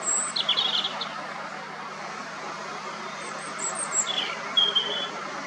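A robin sings short, thin, high-pitched warbled phrases separated by pauses, over a steady background hiss like distant traffic.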